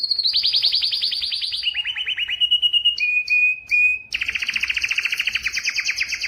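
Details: Yellow canary in song, running through fast rolling trills that step down in pitch, pure sustained whistles broken by short pauses, then a dense doubled trill to the end.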